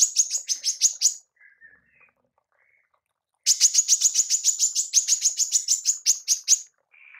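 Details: Female manggar tembakan, used for training songbirds: a short run of fast high chips, a few faint notes and silence, then a long, loud, steady series of rapid piercing chips.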